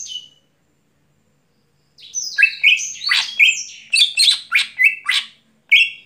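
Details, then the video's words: A greater green leafbird sings energetically at night, a fast varied stream of squeaky whistles, scratchy notes and clear short tones following a brief silence, about three to four notes per second. "Cucak Hijau Gacor Malam Hari"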